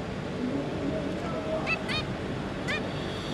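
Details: Zebra finches, parents with three juvenile young, 5 August 2022: a few short nasal honking calls, two close together, then one more a second later, over a steady rushing background noise.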